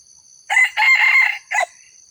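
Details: Red junglefowl crowing, used as a lure to draw in wild junglefowl, reportedly an old original bird: a short opening note, a drawn-out two-part middle, then a clipped final note, all within about 1.2 seconds, with a faint steady insect whine behind.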